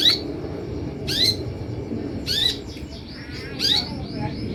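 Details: Sunbird call used to lure kolibri ninja into answering: five rasping high bursts about a second apart over constant broadband hiss, with a softer chatter near the end.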